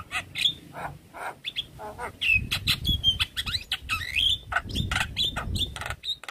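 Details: Stressed Javan myna answering another Javan myna's call with a dense run of filler phrases: rapid clicks, short whistles and harsh rasps tumbling irregularly, with low thumping noises underneath.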